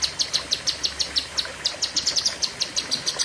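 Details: Lesser green leafbird (cucak kinoi) delivering a long fiery burst of song: rapid high chirps repeated about six times a second, steady and sharp throughout, with faint background hiss.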